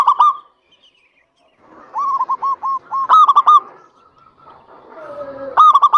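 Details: Local zebra dove singing to stimulate reluctant doves: a short coo, silence, then a string of curled notes, a fast rolling trill, a faint level hum, and another quick rolling burst at the end.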